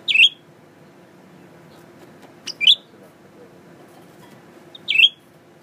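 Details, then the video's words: Tame male Blue-winged Leafbird, newly kept in captivity, singing at its reflection in a mirror. Three emphatic, twisting chirped notes, spaced about two to two and a half seconds apart, with a faint lead-in tick and low steady hum. "Pretty Blue Winged Leafbird Singing.. 蓝翅叶鹎爱唱歌"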